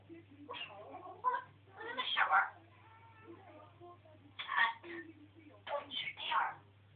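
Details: Pet African grey parrot talking in a rant, producing voice-like, speech-shaped bursts of several syllables separated by quieter stretches, with a steady low electrical hum underneath in a room.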